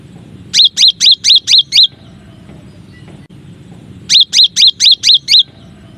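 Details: Cinereous tit masteran song, one of nine variations: evenly spaced runs of six high, sharply dropping whistled notes, two runs separated by a quiet pause of about two seconds with low background noise.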